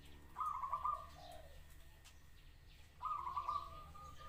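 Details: Zebra dove singing: two short, rapid, stuttering trilled coo phrases about two and a half seconds apart, with a few softer lower coos after the first, over quiet outdoor background hum.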